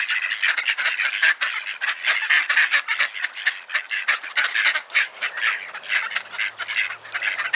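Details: Wood ducks back at Sainte-Adèle, Quebec, Canada, 7:53 AM on 18 October 2024, 1°C and clear: loud, crowded chorus of rapid nasal calls from a flock, pulsing with no pause.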